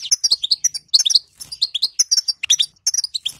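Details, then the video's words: Female European goldfinch giving bitbita, the chattering call offered to make a silent male sing; crisp, high, tinkling chirps delivered fast and almost continuously, with a couple of brief breaks. "هذا البتبته الحل لأفضل للحسون صامت"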